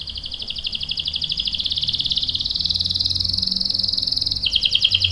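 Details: Long rolling song of a canary, used to provoke others into singing: a continuous rapid trill slides slightly upward, then breaks into a lower pulsed phrase, over a soft low hum.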